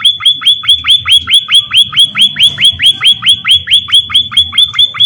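A munia gives a fast, steady string of thin, high, upslurred notes, about five per second, over a faint low rumble.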